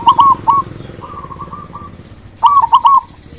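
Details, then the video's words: Zebra dove of a local strain with a strong voice, meant to prompt silent doves to answer: crisp, fast trilled coo phrases, then a softer run of four short coos, then another loud rolling burst. "Perkutut lokal gacor suara besar"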